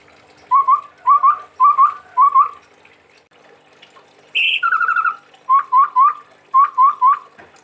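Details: Chestnut-rumped babbler, a bird said to come from Sumatra, singing briskly: clear whistled notes in quick groups of three or four, each note rising, with one higher rapid trill in the middle of the run.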